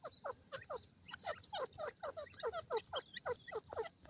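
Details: Two francolins (gadra teetar) in the forest calling together: a fast, even string of downward-sweeping notes several times per second, fairly loud.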